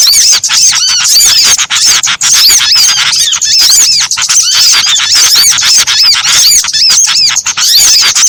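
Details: Mixed small-bird calls made as a trapping lure: a packed wall of sharp, high chirps and curved whistles, hardly a gap, steady and loud for the whole stretch.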